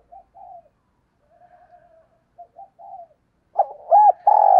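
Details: Spotted dove cooing to provoke a fight: a long run of faint, soft low coos, then a loud burst of arched notes and a harsh drawn coo, cut off abruptly.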